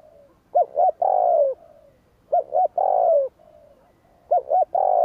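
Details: Spotted dove giving a stimulating call for wild birds: three phrases of two quick arched coos and a long grating falling coo, repeated about every 1.8 seconds, with soft low hiss behind.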